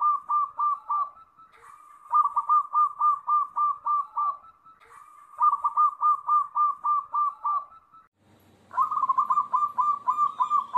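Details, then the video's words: Local zebra dove song: phrases that open with a drawn-out note, then run into a quick string of about eight to ten clipped, hooked cooing notes, repeating every few seconds; a soft murmur under the final phrase. "Gabungan suara unik perkutut"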